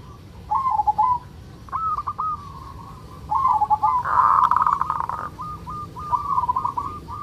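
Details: Zebra dove, local type, singing in the 'kerot' style as a breeding-urge lure: several short rolling coo phrases with gaps, then a loud buzzing burst followed by a string of quick repeated coo notes over low background noise.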